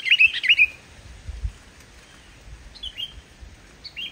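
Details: Sooty-headed bulbul in vigorous song without added phrases, played to stimulate lazy bulbuls into calling: an opening burst of rapid, rich whistles, then quieter scattered single notes separated by pauses.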